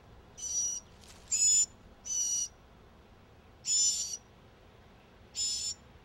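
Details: Four northern mockingbird chicks beg as they sense their mother arriving: five short, harsh, hissing bursts, each about a third of a second long, come at uneven intervals over quiet background.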